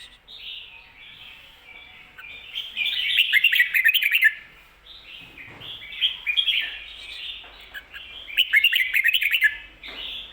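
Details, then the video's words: Red-whiskered bulbul song in the doubled 'ko-ta-ra' style, played for teaching birds. Several loud, bubbling bursts of quick notes are spaced a few seconds apart, with quieter warbles between them. "โค-ตะ-ระ เบิ้ล เบิ้ลจริงเบิ้ลชัด(ไว้สอนนก)"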